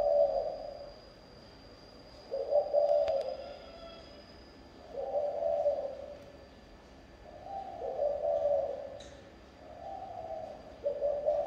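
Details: Regional-style song of a spotted dove: low mellow cooing phrases, each a short run of soft notes, returning about every three seconds against a constant faint hum.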